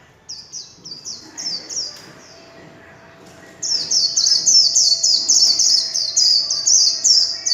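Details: A kept warbling white-eye in líu chòe song: a softer series of repeated quick sweeping notes, a brief gap, then a loud, fast, continuous high twitter running four seconds.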